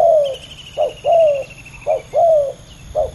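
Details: Fierce contest between two male spotted doves on the ground. Low cooing comes in pairs of a quick note and a longer falling note, repeated roughly every second. A faint high trill is heard at the start.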